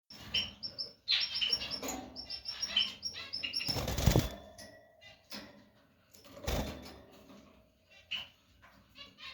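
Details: Female canary giving short, bright chirps in quick clusters, mixed with loud bursts of wing flapping and cage rustling.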